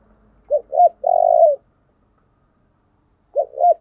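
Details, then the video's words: Lure song of a spotted dove for drawing in wild doves: a quick pair of hooked coos, then a sustained buzzy coo dropping at the end, with the next pair of coos beginning after a silent gap. "tiếng kêu của chim cu gáy âm thanh rất chuẩn để kích bổi"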